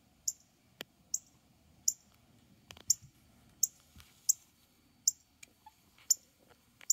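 A male northern cardinal gives sharp, high metallic chips, one roughly every second, against a quiet background.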